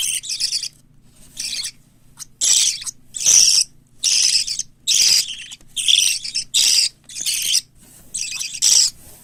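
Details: Parakeet chicks, a mix of white lovebird, cockatiel and budgerigar nestlings being raised for hand-taming, give harsh, hissing, raspy begging bursts, roughly one per second, with short silences between and a low steady hum beneath.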